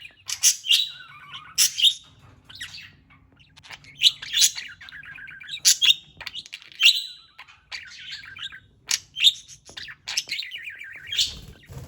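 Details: Playful parrot keeps up steady high chirping, each burst sliding into a short descending warble, repeated about every second over faint low hum.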